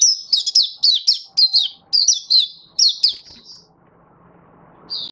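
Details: Oriental white-eye, a hobby songbird, in song display recorded 24 February 2023: about three and a half seconds of quick, high, chipping notes in rapid sequence, then near silence with a faint hum and one last short twitter.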